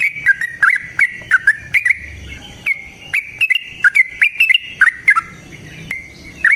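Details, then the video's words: Yellow-vented bulbul singing energetically as a lure to make another bulbul sing: strings of clear whistled notes with abrupt dips and upward flicks, grouped in bursts separated by short gaps. "TRUCUKAN GACOR TARUNG ROPEL PANJANG PANCINGAN TRUCUKAN Agar Bunyi Jadikan Burung TRUCUK GACOR EMOSI"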